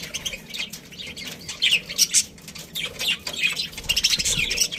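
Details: Budgies from a breeding colony keep up continuous twittering and scratchy warbles, the chirps overlapping almost without pause.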